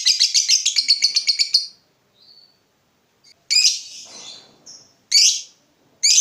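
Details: Lovebird ngekek for luring and mastering other lovebirds: under two seconds of rapid shrill chatter, then a thin squeak and several separate harsh high squawks spaced by short silences.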